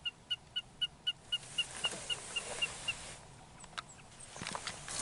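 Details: In Rosedale, Alberta, Canada, a Wilson's snipe repeats short sharp notes about four times a second, slowly fading over three seconds, followed by loud rushing wind-like noise and a few scattered faint notes.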